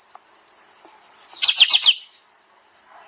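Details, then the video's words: Bulbul master recording for training songbirds, 'tembak' style: a thin high steady whistle runs behind a short tight burst of four or five loud chirps that fall in pitch, then the whistle resumes. "Masteran Burung Kapas Tembak Suara Rapat Nembak Nembak"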